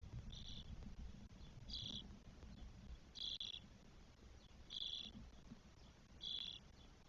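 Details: Four spotless starling nestlings, twelve days old, in a nest in Spain on 1 June 2022: short hissy, rasping bursts repeated roughly every one and a half seconds over a low rumbling background.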